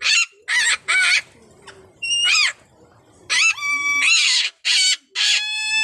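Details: Blue-naped parrot and racket-tailed parrot calling together in a duet: loud, harsh, rasping screeches in quick bursts alternate with clear, steady whistled tones, the two voices overlapping and trading phrases throughout.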